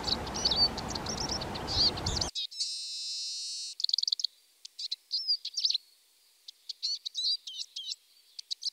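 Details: Eurasian siskin twittering rapidly in high, thin chirps and slurred notes, with a drawn-out buzzy wheeze midway, then scattered twitters; steady background noise at first, then quiet.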